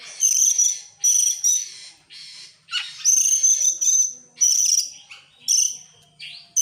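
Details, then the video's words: Oriental magpie-robin singing in an excited display, tail spread: loud bursts of high buzzy ringing notes roughly every second, broken by a harsher rasping phrase midway. "sekali dengar langsung EMOSI NGOBRA GACOR BUKA EKOR, burung kacer nembak,Kacer gacor"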